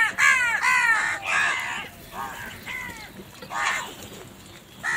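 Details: Crows feeding in the morning give a run of loud, harsh, nasal caws, about two a second at first, then slower spaced calls, with a constant low background rumble.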